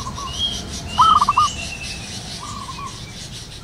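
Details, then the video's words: In the wild at morning, a local zebra dove gives one loud trilled phrase of five short coos, while fainter doves coo at a distance and thin whistles of other birds sound; another phrase begins at the end. "burung perkutut lokal alam gacor penuh gairah"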